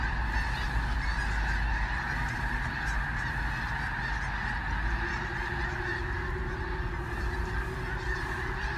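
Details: A flock of sandhill cranes lifting off on March 2, 2018, at a bridge south of Gibbon near Kearney, Nebraska, recorded while driving up; many overlapping rolling, trumpeting calls form a dense chorus over a heavy low rumble.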